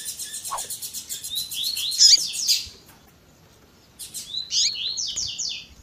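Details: Double-collared seedeater in tui tui zel zel style with a female's calling, edited to fire up a male: a fast, buzzy, pulsing trill, a pause, then three or four rising slurred whistles.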